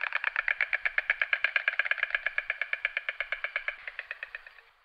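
A white stork's dry, wooden bill-clatter: a rapid, even rattle of about five knocks a second that runs for over four seconds, then slows and fades.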